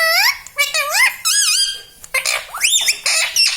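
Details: Pet ringneck parrot talking indoors, rapid run of wavering, speech-like phrases with rising and falling pitch, nearly continuous over a few seconds.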